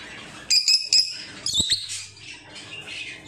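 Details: Pet lovebirds at home, apparently in Bangladesh: quiet room, then a burst of sharp, high, piercing chirps and squeaks in quick succession, a brief pause, two clicks, and a second rush of shrill twitters fading into softer chatter.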